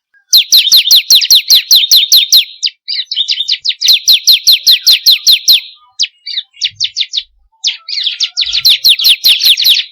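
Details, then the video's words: Lure song of a bar-winged prinia for getting captive birds to sing: long strings of quick falling chips alternating with scratchier clipped phrases, the high notes repeated about two to three per second. "pancingan burung ciblek kristal paling ampuh || mp3 burung ciblek"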